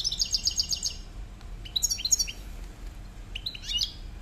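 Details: Male European goldfinch giving a rapid tinkling trill followed by scattered bright chirps and twittering notes over low background hum.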